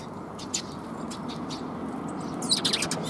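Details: Sparrows greeting along the way out, recorded on 25 March 2021; a quick burst of high, thin chirps arrives near the end, with a few faint single notes before it, over a steady low rumble of background noise.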